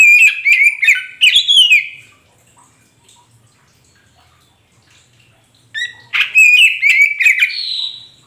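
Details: Oriental magpie-robin (kacer poci) song meant to provoke a non-singing caged bird into answering. Two lively phrases of loud, varied whistles, sliding notes and harsh chips are separated by several seconds of near silence.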